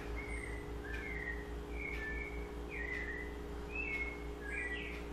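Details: Seedeater song in the sabiá style from a double-collared seedeater: sweet whistled phrases, each a short rising or falling slur, repeated about once a second over low hum.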